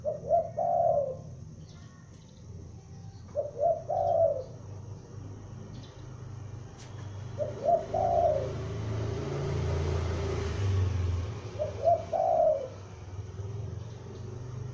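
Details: Loud calling of a young spotted dove used as a lure, four cooing phrases spaced about four seconds apart, each two short notes and a drawn-out coo, against a low rumbling hum.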